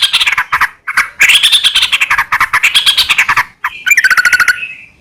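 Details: Yellow-vented bulbul (trucukan) in lively, frequent-singing gacor form, used as a lure to draw song from other bulbuls: dense bubbly chattering phrases around mid-high pitch, rising and falling, then a brief pause and a faster rolling burst.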